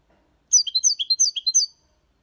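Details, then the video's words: Copia Málaga song of a six-month-old European goldfinch: a continuous phrase of about ten high, sweet, slurred notes delivered rapidly, over clean silence. "Jilguero cantando Limpio 6 meses/ chardonneret chante la copia Malaga / Goldfinch singing"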